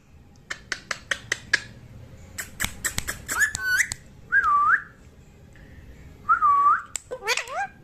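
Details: Pet green parrot at play indoors, giving a run of sharp clicks and taps, then clear whistled notes that dip and rise, some with stacked harmonics, repeated in short bursts.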